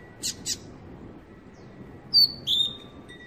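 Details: Six-month-old captive-bred young Double-collared seedeater, raised in a domestic setting and trained in the Tui Tui song style: two sharp high chips, then a pause and two bright, clear whistled notes, one slightly falling.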